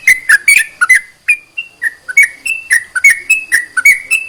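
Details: Sooty-headed bulbul song for prompting other bulbuls to sing: a few fast clicked notes, a brief pause, then a steady series of clear whistles shifting up and down in pitch.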